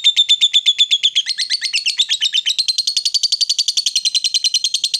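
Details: Ngekek long chatter from a female fighter lovebird meant to rile rivals: dense, buzzy, machine-gun notes repeated fast and steadily for the full five seconds, pitch drifting slightly upward midway.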